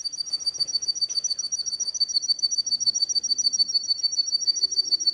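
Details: Canary song used to tutor young birds: a high, rapid, evenly pulsing trill of whistled notes repeated several times a second without a break, with faint low background noise.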